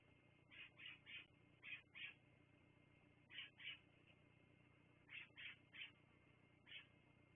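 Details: Bald eagles at a Fraser Point live cam on 10/02/2022 at 16:59, giving thin, high piping notes in quick bursts of two or three, repeated several times over a steady low background hum.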